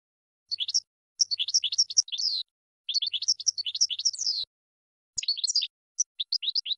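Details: Goldfinch training song for cage birds, delivered in phrases of rapid, liquid twittering chirps, several bursts separated by brief pauses.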